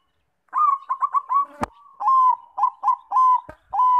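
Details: Bangkok-type zebra dove song used as a lure to prompt other doves to sing: bursts of quick rhythmic coo notes followed by longer held whistled tones, broken by sharp clicks or taps.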